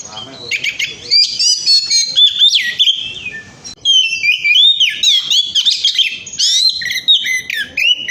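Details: Oriental magpie-robin delivering a varied song meant as a lure to get other birds singing: fast sequences of sweet whistles, upslurred and downslurred notes and chattering trills, nearly continuous.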